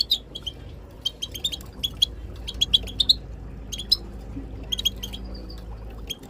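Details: Chattering tabtaba calls of Moroccan goldfinches, female included, used to encourage silent birds to sing; rapid high twittering notes in runs, some ringing and slightly rising, with a thin whistle near the end and low droning hum beneath.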